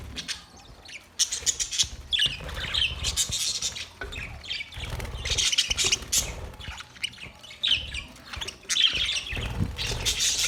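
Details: Budgerigars in a parrot colony setup chirping in bursts of bright, high squawky chatter separated by brief quieter gaps, several birds calling over one another, with low rumbling noise underneath.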